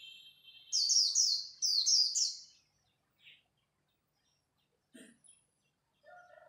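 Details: Dawn competition khuyên líu song from a Japanese white-eye, a single cascade of high, quickly repeated downslurred notes lasting about two seconds, then scattered faint clicks and a low whistle.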